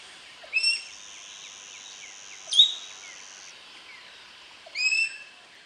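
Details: A common green magpie (Cissa chinensis) in its natural habitat gives three loud, shrill whistled calls about two seconds apart, over a faint steady high hum and soft background chirps.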